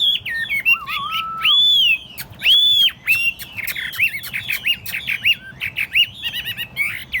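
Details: Tamed caged Chinese hwamei, carried by hand and set on a table, singing a loud varied song of clear whistled phrases: rising and falling slurs, looping notes and one lower wavering whistle, with quick chirps between. No other clear sounds.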